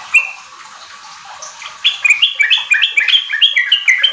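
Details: Sooty-headed bulbul lure song for untrained kept birds to sing riwik ropel. Quiet at first, then a fast chain of bright stepped notes rises and falls for the last two seconds.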